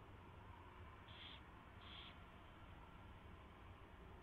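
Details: During a mouse delivery and feeding at an owl nest before dawn on 24 February 2016, two brief raspy hiss-screeches come close together, then only a constant background hum.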